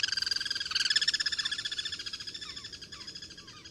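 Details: Wild Guira cuckoos cross-singing: a long series of fast pulsed notes that gradually fades, while softer descending slurred whistles drop in behind it.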